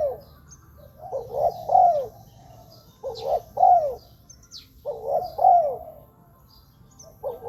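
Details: Spotted dove calls intended to attract wild doves: three-part cooing phrases with a quick double coo and a falling final note, about every two seconds, plus scattered faint high chirps.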